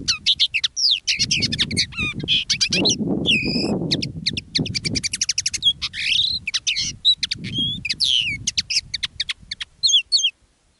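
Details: Caged decoy common linnet singing live, one of two birds with different song styles: a long, fast stream of twittering chirps, buzzy trills and rising whistled notes, almost unbroken for ten seconds, over faint low background rumble.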